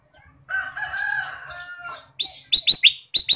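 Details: Ruby-throated bulbul in lively song full of fill-in phrases: a long, steady, slightly nasal drawn-out note lasting over a second, then a quick run of loud, bright rising whistled notes.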